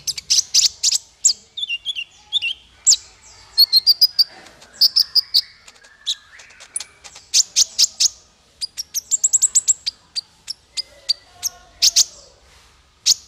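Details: Kolibri ninja male singing as a tutor for songbirds: long, lively stream of piercing high chips, tinkles and short trills, repeated in bursts of several seconds.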